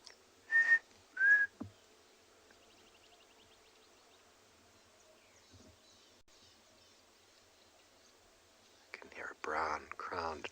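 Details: Brown-crowned Tchagra gives two loud, clear whistles, the second slightly lower and sliding, then quiet and people talking; recorded at sunrise on 12 July 2020 in Tswalu Kalahari Reserve, South Africa.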